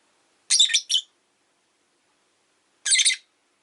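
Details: Rosy-faced lovebird at rest in the afternoon: a doubled burst of grating high chirps, two seconds of quiet, then another scratchy chirp cluster.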